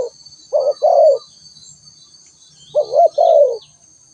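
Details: Two call phrases from a spotted dove about two seconds apart, each a short coo then a longer rolling coo that fades downward. Quiet chirps from small birds and a continuous thin insect tone.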